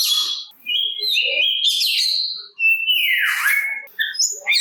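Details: Oriental magpie-robin singing to provoke other magpie-robins into answering, stirring their aggression: loud varied whistles, sliding and warbling notes with short pauses, a buzzy downward-sweeping phrase near the middle, then bright clipped notes.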